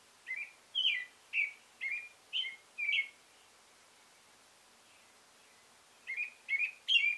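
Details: Caroling song of a male American robin, a string of six whistled phrases that rise and fall, roughly two per second, a quiet gap of three seconds, then three more phrases resuming.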